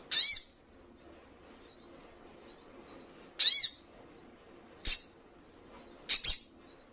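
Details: Sharp high chips from a little spiderhunter, recorded to coax caged birds into answering; four downslurred notes at uneven gaps, the last one doubled.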